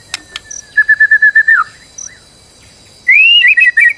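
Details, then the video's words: Stressed white-rumped shama singing as a lure for other birds: a run of about eight quick even whistled notes, a soft rising note, a pause, then a loud wavering whistle breaking into clipped notes. "PANCINGAN MURAI BATU STRES AGAR GACOR"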